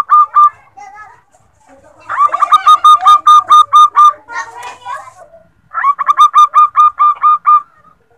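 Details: Female zebra dove calling to the male, used as a lure bird: three bursts of rapid, clipped, hooked notes at about eight per burst, separated by a softer rattling, chattering passage.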